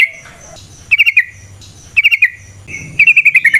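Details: Yellow-vented bulbul singing in the 'ngalas' wild style, used as a lure for other birds. Short bursts of four to five rapid bubbly notes come about once a second, with faint thin whistles between them.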